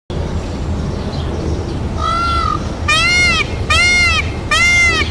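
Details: A peacock gives four loud, nasal, wailing calls. The first is quieter, then three come about a second apart, over steady background hiss.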